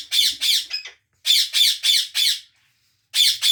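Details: A pet Indian ringneck (rose-ringed parakeet) giving harsh, grating screeches in quick runs of three or four, each note short and rasping, with brief pauses between bursts.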